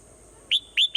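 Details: Brief morning sample of a swallow: two sharp rising whistled notes in quick succession, the second sliding across a high pitch, cut off as a third begins.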